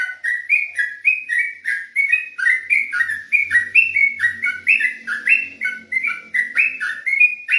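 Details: At night, an olive-backed tailorbird pours out ropelan song: a long rapid series of sharp whistled notes, pitch stepping up and down, with a faint low hum in the background.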